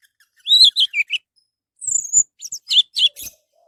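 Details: Orange-headed thrush song used to coax other birds into singing: a warbled falling phrase, a pause, then a thin high slurred whistle followed by several bright chirps.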